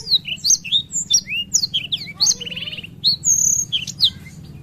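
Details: Black-throated canary delivering long rolling song: crisp high whistled notes and quick slurs, a short dry rattling trill, then a sustained thin whistle and further bright chirps in rapid succession.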